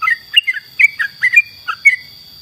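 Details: Yellow-vented bulbul in active song for training other songbirds, giving short, bubbly two-part chirps spaced about a quarter second apart, with a thin steady whine in the background.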